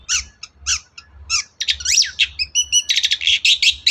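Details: Long-tailed shrike in energetic song, meant to stir a quiet shrike into answering: spaced scratchy chips at first, then a faster, denser stream of harsh notes and twittering accelerating toward the end.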